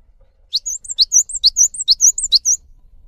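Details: Java sparrow singing a repeated lure phrase to stir quiet caged birds: alternating low chips and high clear whistles, about five pairs in two seconds, steady and crisp.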